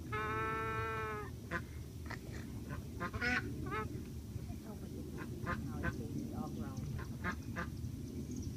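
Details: Embden gosling, a young domestic goose, making little honking, snoring sounds while drifting in and out of sleep: one long steady harmonic peep, then a string of short soft clicks and chirps over a low indoor hum.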